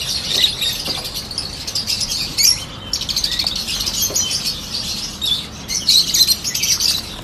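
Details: A chorus of Peach-faced lovebirds, with yellow birds listed too, keeps up a steady stream of thin shrill chirps, with brief lulls and louder clusters of tweets toward the end.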